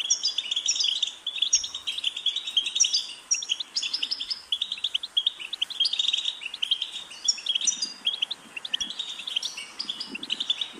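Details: Goldfinch singing during training to sing: a long run of fast twittering phrases mixing buzzy trills and clear, high chips, with short gaps and a faint low rumble now and then.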